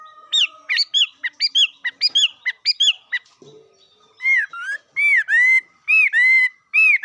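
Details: Bird singing: a run of short, clear, whistled notes with upswept and downswept slurs at first, then louder, ringing whistles with a steady pitch, each ending in a flick, repeated roughly every half second. The background is quiet.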